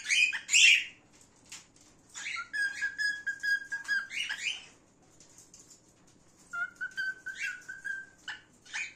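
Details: Male gray cockatiel singing: harsh, scratchy bursts open the phrase, then long, steady whistled notes with bright overtones, broken by clicks and chatter, a pause, and another sustained whistle followed by short chirps.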